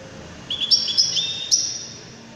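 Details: Widani goldfinch giving a brief phrase of thin, high, drawn-out twittering notes with a few sharp accents, set against a constant low background hiss.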